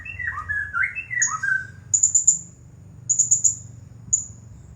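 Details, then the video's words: A champion blue-crowned hanging parrot in the 'nagih hutang' style utters short groups of high, thin squeaky chirps, after opening lower warbled whistles that seem to come from another bird. "Serindit Juara Nonstop Bunyi Gaya Nagih Hutang"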